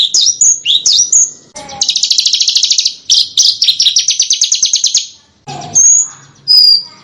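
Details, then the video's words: Small bird master recording for cage birds in song contests: quick looping high notes, then long, rapid, even trills, followed by a low buzzy call and two thin, clear high whistles. "Suara BURUNG KECIL !!! MASTERAN BURUNG KECIL TEMBAKAN TAJAM DAN SUPER PEDAS"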